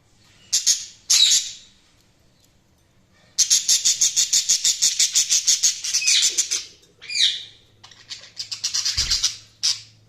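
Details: Budgerigars chirping: bursts of high, rapid, scratchy chatter with repeated fast pulses and a few short whistled notes, separated by brief pauses, with a faint low hum underneath.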